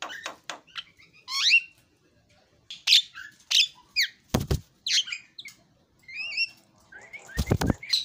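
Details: Javan myna giving a loose sequence of separate squeaky whistles and slurred upward notes at uneven intervals, with a few sharp clicks or knocks in between.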